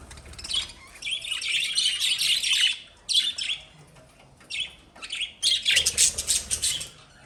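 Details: Chattering pet lovebirds: loud bursts of shrill, rapid squeaky chirps, each lasting one to two seconds and separated by short near-silent gaps.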